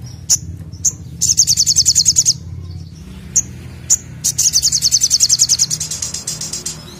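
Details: Olive-backed sunbird singing vigorously in the 'nembak' style: sharp high chirps, then a rapid buzzy trill of about ten evenly spaced notes lasting a second. After a pause of scattered chirps comes a second, longer trill, over a low steady hum.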